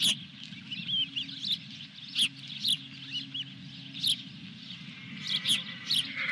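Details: Osprey calling at the nest at Dunrovin Ranch, June 2021, with a fish. Scattered high chirps, some slurred downward, come in small bursts between quieter gaps, over a low droning hum and a few sharp knocks.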